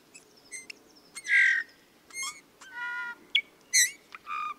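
Eurasian bullfinch song: a halting run of creaky, squeaky notes mixed with soft nasal piping whistles, about eight phrases in under five seconds, over quiet background hiss.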